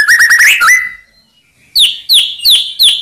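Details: White-rumped shama song for provoking rivals: a quick series of rising whistled notes, a pause, then four sharp downslurred chirps in steady succession.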